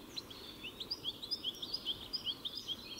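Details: European goldfinch song: a fairly quiet run of short, high, slurred chirps and twitters repeated rapidly, about two or three notes a second, over faint background hiss.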